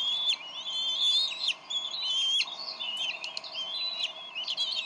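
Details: Bald eagles at their Decorah nest on 30 May 2012, the parents squabbling over a fish. A rapid chittering series of high whistled notes and short chips runs almost without pause.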